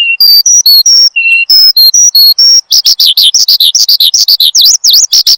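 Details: Energetic Horsfield's bushlark song used for training and luring cage birds: clear separate whistled notes at varied pitches, then a rapid string of high chirps including swooping up-down whistles.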